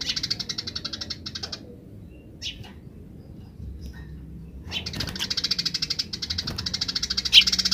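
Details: Grece chatter of a wild Eurasian tree sparrow: a fast burst of metallic chirps, nearly three seconds of quiet with faint notes, then a renewed rapid, steady chirping series.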